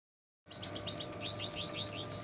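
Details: Red siskin, an energetic singer, in a tutor recording for songbirds, filled with lovebird sounds: after silence, a quick run of high, sharp chirps repeated about five times a second, ending in a thin whistle.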